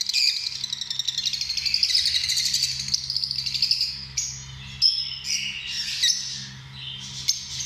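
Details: Lovebird calls: a rapid buzzy trill of high chirps for the first four seconds, then separate sharp squeaks and rising whistled notes, over a low constant hum.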